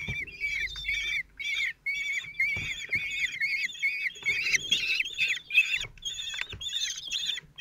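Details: Common kestrel nest in Théding, France, 26 June 2023: the single male feeds four chicks 16 days old. Rapid, choppy, shrill calls tumble over one another in short clusters, with a few silent breaks and light knocks.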